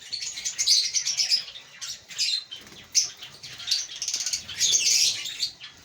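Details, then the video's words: Chattering of African lovebirds in a breeding colony, a dense jumble of high, shrill chirps and squeaky twitters coming in bursts, several birds calling over one another. "Lovebird Singing & Chirping Sounds"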